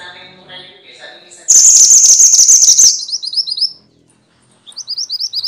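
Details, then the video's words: Minivet, the bird known in Java as mantenan and in Indonesia as sepah, recorded as tutor audio for songbirds: a sharp high buzzy chatter, a trailing row of rising chirps, a short gap, then more rapid chirps. "kumpulan suara burung mantenan (sepah) ribut!!"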